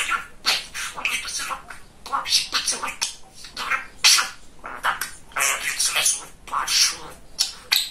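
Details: A male budgerigar named Kesha, a very chatty talking parrot, chatters in a fast, high, scratchy voice, running mimicked words together in bursts with short pauses, indoors.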